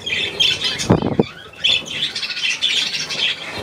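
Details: Budgerigar calls from 9 February 2024: harsh short squawks and scratchy chirps in quick runs, broken near the first second by two dull low thumps, then the chatter resumes steadily.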